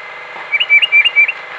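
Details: White-throated Sparrow singing in the background of a backyard trail-camera recording, four short, clear whistled notes, each slightly rising, about a quarter-second apart, over a faint steady hum; a nuthatch confronts a house sparrow nearby.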